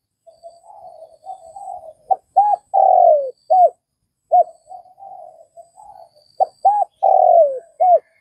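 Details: Vietnamese spotted dove repeating its cooing phrase twice: quiet wavering murmurs lead into quick hoots, a long coo sliding down in pitch and a closing short hoot.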